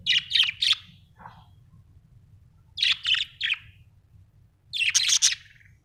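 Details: Budgerigar gives repeated loud high chirps in groups of three, separated by pauses of about two seconds, with one softer lower note between; a low hum underlies the calls.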